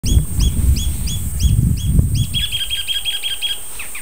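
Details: Icterine warbler, a migrant lingering in early July, singing: a run of repeated upslurred doubled notes about every quarter second, then a faster buzzy rattle of clipped notes; steady low rumble and a constant high whine in the background.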